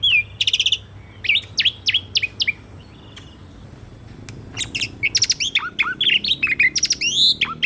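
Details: Asian pied starling singing as training audio for birds that have stopped singing: a chattering burst, a run of downslurred whistles, a quiet gap, then fast varied warbling with harsh pulsed notes.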